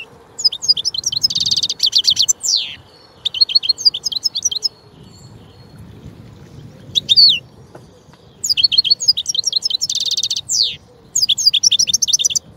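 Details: A European goldfinch gives a lively song of rapid high twittering and buzzy trills, with liquid chirps and falling slurs, broken by a pause of a few seconds before it resumes.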